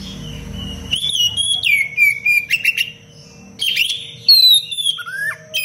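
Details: Oriental magpie-robin, a kept songbird, singing a dense, sharp song meant as a master recording for training other birds: bright whistled slurs, rising and falling, broken by short pauses, with a faint steady hum beneath.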